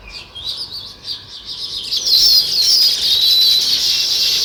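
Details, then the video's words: Sparrows, also described as weaver birds, chirping in a dense flock: high, overlapping tweets that start sparse and soft, then swell after two seconds into a continuous bright chatter of many birds. "Natural Sparrow Chirping Sounds"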